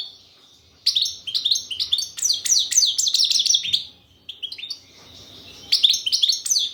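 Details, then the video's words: European goldfinch song, кокил песса style: fast liquid twittering of high downslurred notes in quick succession, a brief break near the middle, then the bright chattering phrases resume, clean and close. "Щегол пение кокил песса"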